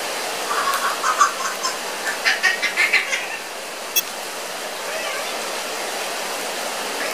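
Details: A 14-month-old pet parrot that loves squealing when it rains gives a quick run of about a dozen short, harsh squeals over three seconds, then one sharp note, against a steady hiss of rain.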